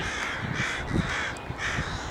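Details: At Piper Spit dock on Burnaby Lake on a clear day, a large, noisy gathering of crows gives harsh, hoarse caws: two drawn-out overlapping bursts from the flock over a low rumbling background.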